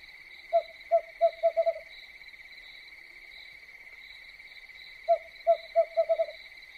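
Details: Owl at night gives two bursts of rapid low hoots, about five to six notes each and speeding up, roughly four seconds apart, over a constant high cricket chorus.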